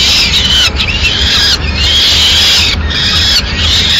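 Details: In Madrid on 6 May 2016, a female peregrine falcon brings a pigeon to the nest; long rasping wails broken by brief pauses, with a steady low hum beneath.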